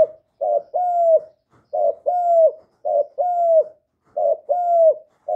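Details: A kept young male spotted dove gives loud repeated calls. Each is a brief choppy lead-in followed by a sustained, slightly falling coo, and four phrases come in even succession against silence.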